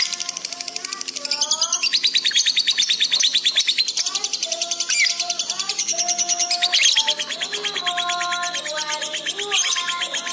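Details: Lovebird in fast gacor chatter on a masteran recording made to train pet birds: a dense, high, buzzy pulse stream for nearly the whole stretch, while lower whistled notes, some rising and some falling, sound repeatedly underneath.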